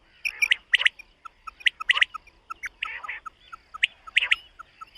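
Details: Morning calls of a common quail in a summer meadow: bright, abrupt paired notes every second or so. Softer short chirps fill the gaps, and one rough, scratchy burst comes near the middle.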